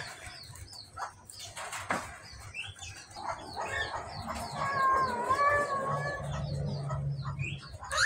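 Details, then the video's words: Australian finch sounds meant to bring birds on to breeding and egg laying: many short, high chirps scattered throughout, a wavering whistled phrase midway, and a low steady hum underneath. "falk australia agar cepat birahi dan bertelur"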